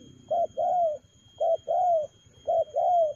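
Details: Spotted dove cooing quickly in 'lèo gù' style: three clear phrases, each a short coo then a longer gently descending note, spaced about a second apart over a low hum.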